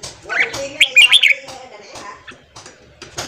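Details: Red-whiskered bulbul morning song played to train and stimulate a newly caught bird: a short, slightly muffled phrase of four or five rising and falling whistles amid soft clicks and faint background sounds.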